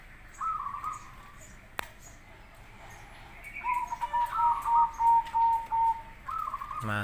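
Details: Zebra dove song, local versus crossbred birds, as master recording to draw answers; a short trilled coo phrase, a sharp click, then a long series of staccato cooing notes and another trilled phrase.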